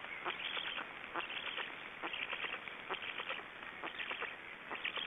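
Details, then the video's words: Estonian black storks, after swallowing a large fish, produce scratchy, hissing bursts in irregular clusters, roughly one per second, over several seconds of continuous rasping noise. "Estonian Black Storks - After swallowing the big fish"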